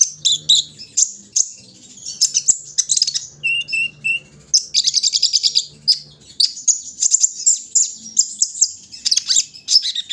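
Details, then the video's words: Morning dew outing of a kolibri ninja sunbird: rapid high twittering and rattling chip series, with a few lower pure whistled notes midway and a faint hum beneath. "pengembunan di pagi hari burung Kolibri ninja"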